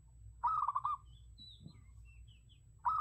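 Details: A zebra dove, recorded as a decoy call, gives a quick, bubbling run of soft staccato coos, repeated after about two seconds, with faint high chirps from other birds in between.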